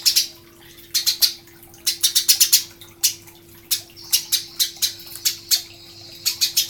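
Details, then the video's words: Irregular series of bright, sharp chirps from a Eurasian tree sparrow, some in quick pairs or triplets, others spaced apart, used as a master song for training songbirds; low hum in the background. "masteran burung gereja"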